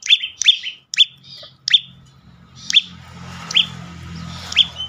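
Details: Bar-winged prinia (prenjak lumut) song used as a lure to get other birds singing: sharp high chirps with short buzzy tails, about eight notes in five seconds, fast at first and then spaced out, over a low hum.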